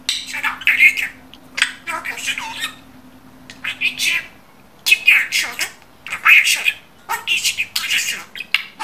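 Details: Budgerigar imitating human speech with a string of scratchy, warbled word-like bursts separated by brief pauses, a low hum fading out midway.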